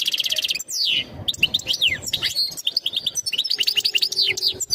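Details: European goldfinch mating call, sung to prepare the female for breeding: a buzzy trill opens, followed by a cascade of bright chirps, slurred whistles and rapid twitters in a dense, excited run.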